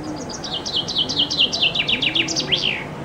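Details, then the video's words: Loud summer song of a common chaffinch under a window, taken with a compact camera from a loggia: a cascade of high falling notes gathering pace, then a descending rattle and a final upward-and-down flourish, with soft low cooing behind. "Зяблик поёт под моим окном"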